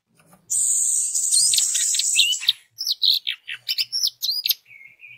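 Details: Orange-headed thrush song meant to set other orange-headed thrushes singing: a long dense high rattling trill, then a quick run of varied sharp whistled notes and slurs, ending in a soft level whistle.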